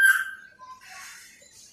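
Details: Caged myna bird, described as a talking bird, giving a short loud whistled note that slides down, followed by a brief lower tone and a soft rasping, hissing sound.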